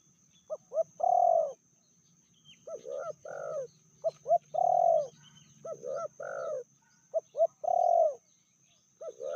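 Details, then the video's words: Female spotted dove, noted as fiercer than the male, medium voice: the phrase repeats three times. Each phrase has two short notes, one long loud coo, and softer paired coos, about every three seconds. "Betinanya lebih ganas dari jantannya/bl suara sedang"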